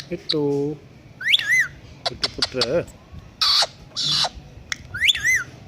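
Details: Pet Indian ringneck parakeet talking and imitating a cat: a low harmonic meow-like phrase, then rising and falling whistled notes, rapid clicks, harsh broadband squawks near two seconds apart, ending with another looping whistle.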